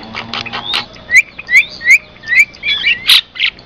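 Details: Javan myna lure and training song. Scratchy notes, then a run of short rising whistles repeated about every half second, mixed with harsh chatter, over a faint steady high hum.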